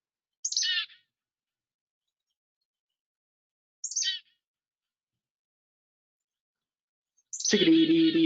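Black-capped Chickadee: two brief, high, buzzy notes sliding downward, about three seconds apart. A person starts speaking at the end.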